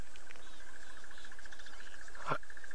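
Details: Crested barbet calling in the distance at sunrise on 22 November 2016, a sustained, even trill of rapid pulses at steady mid pitch, possibly two birds or an echo, over a low engine rumble with one sharp knock near the end.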